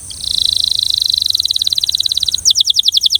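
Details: Belgian canary singing with a rhythmic pattern, used for canary training; a long fast trill of identical high pulses that slows slightly, then switches to a slower, sharper series of repeated notes.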